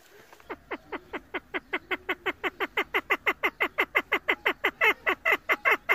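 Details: Female chukar partridge kept for hunting, giving a long series of sharp, downward-sweeping chuck notes, about four per second, starting faint and growing steadily louder and stronger.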